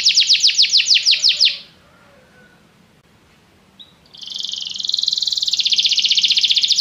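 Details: Canary song intended to trigger singing in a pet canary: a quick series of sweeping notes, a brief silence, then a dense rapid buzzy trill growing louder.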